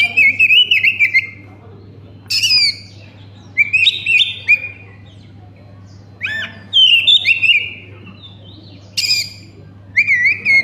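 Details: Oriental magpie-robin singing as a lure for other magpie-robins: separated phrases of loud warbled whistles and sharp high buzzy notes, each lasting about a second, with pauses between and a faint low hum.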